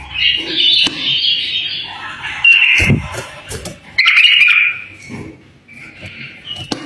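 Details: Song of a tame bulbul, played to encourage other bulbuls to sing: bright warbled phrases in short bursts separated by brief pauses, with sharp knocks and a low thud nearby.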